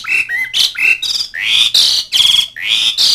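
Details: Asian pied starling call used to summon mates and rivals: rough, rising squawks and buzzy notes packed closely together, growing louder and harsher over three seconds.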